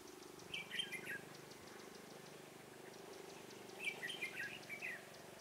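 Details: Caged Red-whiskered bulbul used as a decoy to lure wild bulbuls into a trap, recorded 23 October 2017. Two short warbled bursts of quick chirpy notes about three seconds apart, over a steady low hum.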